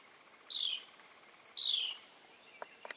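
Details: A preening Carolina wren gives two buzzy, downward-sliding notes about a second apart, followed by a few faint clicks, over a thin constant high whine.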